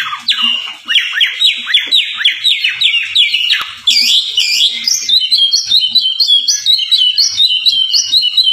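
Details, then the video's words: Energetic kacer song from an Oriental magpie-robin: a fast series of repeated downslurred whistles about six per second, shifting to a harsh burst, then quick rhythmic two-tone chirps repeated steadily, loud and persistent, as a full isian training recording. "Masteran Suara Kacer Gacor Volume Ngotot Full Isian"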